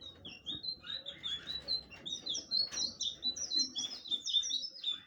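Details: Blue flycatcher pouring out a lively warble of high, thin whistled notes, about one phrase per second. It builds into a dense, bubbling run of overlapping slurs over faint room noise.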